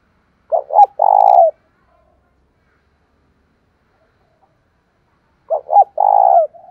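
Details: Spotted dove used as a lure bird to provoke fighting, with a loud, strong voice; two low cooing phrases about five seconds apart, each two short hooting notes followed by a longer drawn-out coo, in silence.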